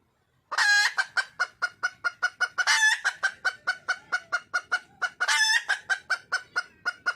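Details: Wild junglefowl hen calling for a male: three loud, harsh, nasal squawks, each followed by a quick run of short, sharp clucks repeated about four times a second, with a quiet background.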